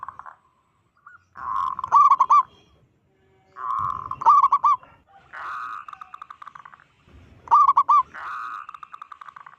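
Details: Local zebra dove with a loud, strong voice, calling to provoke and unsettle other zebra doves: three bouts of rolling, trilled cooing, each a burst of bubbling notes followed by a long run of soft rapid pulses.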